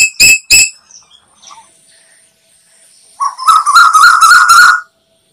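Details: Asian koel call played as a hunting lure: two sharp harsh notes, a quiet pause with faint chirps, then a rapid bubbling run of about six to eight rising notes that ends abruptly.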